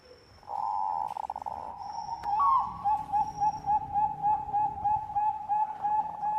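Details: Bangkok zebra dove lure song: a harsh, buzzy opening phrase, then a long chain of rapid, even, mellow coos that continues steadily to the end.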